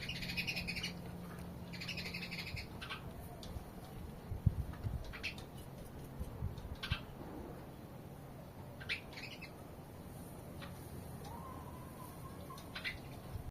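Short bursts of harsh sparrow chirps come in irregular clusters, some quick and buzzy, over a steady low hum and background rumble.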